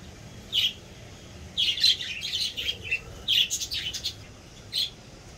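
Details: Budgerigars in a pet store give bright, scratchy chirps and warbled chatter in short bursts.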